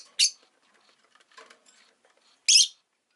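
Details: Rosy-faced lovebird kept as a pet, giving two isolated shrill, rasping chirps about two seconds apart, with soft faint chatter between them.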